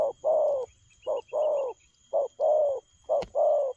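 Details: Spotted dove cooing fast in the 'lèo gù' style: short low coos paired with longer slurred notes, pairs repeated about once a second, steady hum in background.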